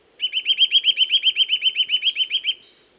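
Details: In woods, a Eurasian nuthatch delivers a long, regular series of about seventeen ringing whistled notes, fast and evenly spaced, for over two seconds with little background sound.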